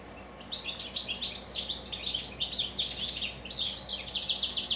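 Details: Several captive goldfinches sing in the evening, a dense, bubbling stream of high, rapid twitters and chirps that runs continuously over a low steady hum.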